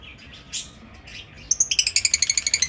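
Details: Pet lovebirds in an aviary give a fast run of shrill, high chirps, about ten per second, after a second of soft, distant twittering.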